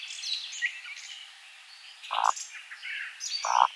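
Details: Eurasian woodcock in spring forest at nightfall, displaying in flight: two short, low croaking grunts, with twittering and whistling songs of other birds behind.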